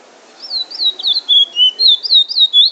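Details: Trinidad bullfinch, a chestnut-bellied seed finch, delivering its drawl and wheet drawl song in Trinidad. High whistled notes swoop up and down, with a few lower drawn-out slurs in the middle, tumbling rapidly over two seconds.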